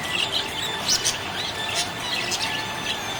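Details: Happy budgerigar giving short, high chirps and squeaky notes in uneven bursts of lively chatter, with a soft continuous background hiss.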